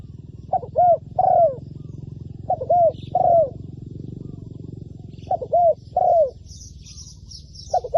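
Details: Spotted dove kept as a trapping decoy, calling with paired low coos followed by a longer drawn-out note, phrases repeating every two to three seconds; faint high thin chirps appear near the end over a steady low rumble.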